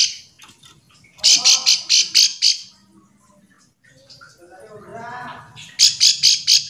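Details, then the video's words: Bar-winged prinia call meant to stir quiet birds into answering: two bursts of five to six harsh, buzzy, high chattering notes separated by a quieter gap holding a short lower warbling phrase and soft background rumble. "Ciblek sawah memanggil teman"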